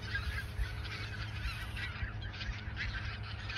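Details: Geese in the Ochsenmoor nature reserve in autumn 2022, a few days before migrating south: a flock keeps up a dense chorus of overlapping honks and cackles over a steady low rumble.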